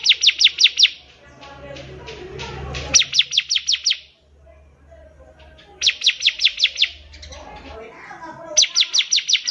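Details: Bar-winged prinia tutor song for young birds: four short trains of rapid, sharp, high chips, each about five to seven notes, separated by pauses filled with faint low rumbling and scattered noises.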